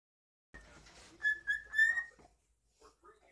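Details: Pet cockatiel whistling on cue for the camera indoors: a short run of clear whistled notes, each with bright overtones, after a moment of soft rustling, then a few quiet chirps.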